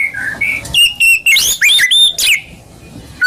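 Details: White-rumped shama (murai batu) singing a lure song for kept birds. Clear, level whistles alternate with bursts of high, twisting notes, then the singing breaks off into a short pause.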